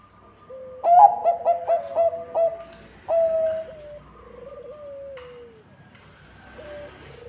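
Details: Bangkok-type zebra dove song used to attract other zebra doves: a quick run of six bright, clipped coos, then a longer coo and soft drawn-out, slightly falling notes fading away.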